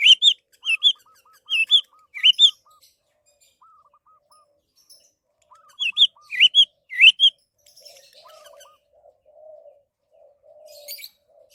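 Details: Orange-headed thrush song used as a lure to make other birds sing: short bursts of bright, slurred whistled notes in quick clusters, between runs of soft, evenly repeated lower notes, with a faint lower warble near the end.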